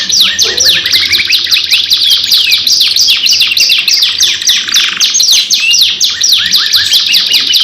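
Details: Canary gacor lure song in long unbroken delivery: rapid rows of high downward-sweeping notes and trills, a brief buzzy rattle midway, sustained fast tempo throughout.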